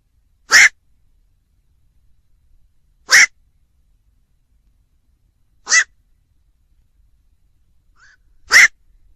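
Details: Black-crowned night heron with four abrupt, raspy barks spaced roughly two and a half seconds apart. A faint short note comes just before the last bark, in an otherwise quiet setting.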